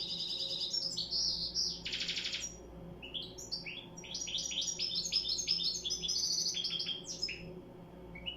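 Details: European goldfinch singing, likely kept as a cage bird, delivering a rapid tumbling run of bright twittering and buzzy notes high in pitch, with a harsh rattling burst near two seconds and a low steady hum beneath.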